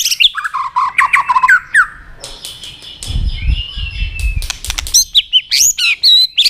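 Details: White-rumped shama provoked into fight-singing: rapid warbled phrases and sharp clicks, a low rustling or fluttering sound in the middle, then quick high whistled notes.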